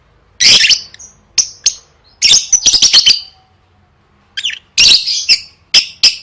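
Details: A lovebird in competition training delivers loud, harsh chatter bursts mixed with single sharp chips, with clear silent gaps between phrases.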